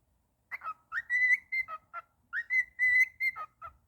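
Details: A pet cockatiel singing happily: clear whistled phrases, each a rising note into a held steady whistle, then short dropping notes, repeated in two similar phrases.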